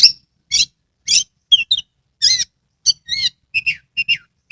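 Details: Oriental magpie-robin kept in Kebumen, Central Java, sings steadily to prompt silent birds into singing. Short harsh bursts followed by looping whistles and a run of paired bright notes, roughly two per second.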